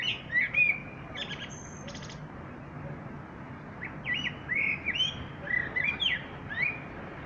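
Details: Common blackbird song opening with warbled notes, then a dry high rattling chatter lasting about a second, and after a pause several more fluted, whistled phrases.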